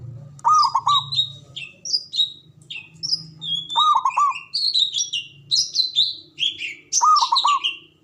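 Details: Local Javanese zebra dove used as a lure to raise breeding and fighting spirit. Three bursts of rapid bubbling coos are interwoven with continuous high, sharp chirps from another small bird.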